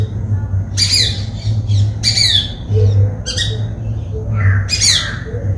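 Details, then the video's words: White-bellied drongo in Sri Lanka uttering harsh, broadband squawk-like notes in separate bursts roughly a second apart, with a rising whistle near the end over a low hum. "White-bellied drongo calls"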